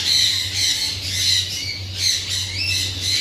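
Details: Parrot giving harsh, raspy squawks repeated about every half second over a steady low hum and broadband noise.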